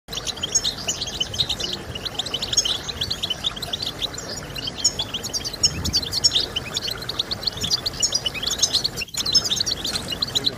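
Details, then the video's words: European goldfinch song played to stimulate other goldfinches to sing: dense, high, tinkling twitter of quick chirps and short trills running without pause, with a steady low hiss underneath and a brief dropout near the end. "Stimulating Birds with Goldfinch Sounds"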